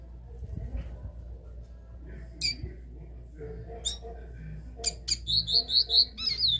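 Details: Capped seedeater (caboclinho) giving the classic three-note song style: scattered sharp high chips, then a quick run of about six clear, bright repeated notes near the end, over a steady low hum.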